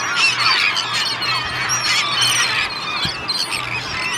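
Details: Vast feeding gathering of gulls, mostly herring and black-backed, with terns on Fanoe Beach, Denmark, in August; dense chattering squeals and cries overlapping continuously.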